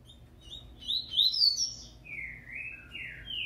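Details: Double-collared seedeater being prepared for the 19/20 season, singing: a burst of high, rapid twittering chirps, then a series of slurred, downward-sweeping whistled phrases repeated in quick succession, with a faint low background hum.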